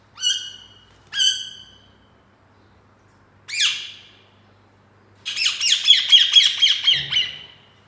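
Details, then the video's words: Caged rose-ringed parakeet, a green ringneck kept indoors, giving harsh upswept squawks: two near one second, another at three and a half seconds, then a rapid burst of rough chattering notes. "Chirping sound of green parrot | Indian Parrot sound/voices"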